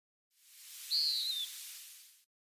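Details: At Spokane Bay near Helena, Montana, at midday in late August, a Western Wood-Pewee sings its lazy, high, descending slurred note, about half a second long, against a soft steady hiss.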